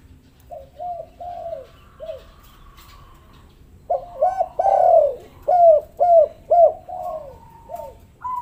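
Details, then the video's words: Luring call of spotted dove to draw quiet doves into calling: scattered soft coos, a pause, then a louder run of arched coos about every half second over a faint background hum. "pancingan maut tekukur derkuku malas bunyi langsung gacor"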